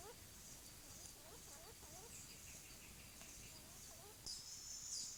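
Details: Short-tailed antthrush singing in forest during courtship; faint series of quick, mid-pitched slurred notes, about two or three each second, beneath a steady high insect hiss.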